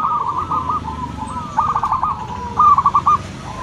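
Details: Loud local zebra dove kept as a lure bird, giving short runs of rapid cooing notes that start and stop every second or so, partly blurred by a constant low hum and faint traffic-like rumble.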